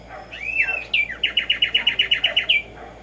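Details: Black-striped sparrow (Arremonops conirostris), known as tumba yegua or tico tico, sings in the morning: a few slurred whistled introductory notes, then a fast run of about a dozen bright chips that speeds up slightly and ends higher.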